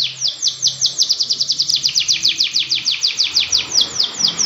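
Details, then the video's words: Long, vigorous canary song meant for tutoring other canaries and getting them singing: a steady, rapid trill of sharply downward-sweeping notes, several per second, with a faint low hum underneath. "Kenari Gacor Panjang cocok untuk masteran kenari"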